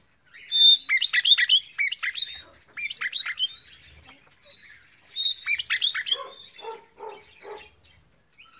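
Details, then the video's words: Red-rumped parrot warbling, used to encourage a pair to breed. Rapid chattering, twittering phrases in two bursts, ending in a few lower, rougher chirps. "تغريد الريدرامب لتحفيز الانثى والذكر على التزاوج"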